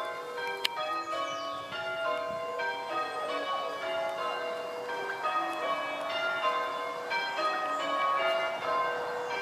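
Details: Church bells at St Mary's in Pulford, Chester ring in change-ringing sequences, overlapping metallic tones throughout, with no animal calls clearly heard.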